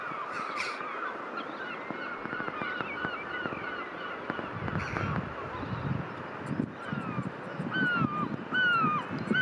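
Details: Choughs in June, gathered near a family of young choughs just attacked by a pair of nest-defending gulls, give repeated high, downslurred 'chee-ow' calls, loud and aggressive, several birds overlapping, over steady wind rumble.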